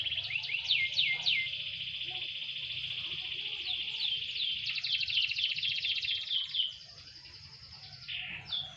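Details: Canary set out to sunbathe, song opening with several sharp downslurred notes, then a long rolling trill that shifts in pitch and fades; faint background hum.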